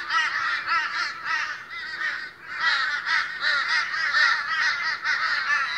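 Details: Australian crows in a noisy morning gathering, several birds cawing at once; harsh, nasal, overlapping calls in rapid irregular bursts, a short lull near the middle, then the chorus swells again.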